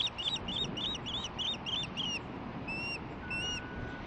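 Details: Nearby female osprey receiving a fish delivery, July 23, 2015: a fast string of wavering whistled chirps, then two lower drawn-out whistles with a faint steady tone beneath.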